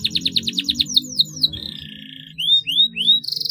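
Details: Canary song as a lure for silent canaries: a run of rapid repeated notes, a descending series, a buzzy mid-pitched roll, then three rising whistles and a short fast trill.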